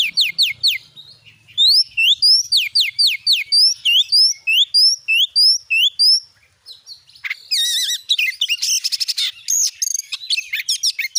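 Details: Lure song of an Oriental magpie-robin (kacer), meant to make a kept bird start singing: a rapid series of loud, clear whistles sweeping down and up, then harsh buzzy rattles and scratchy trills.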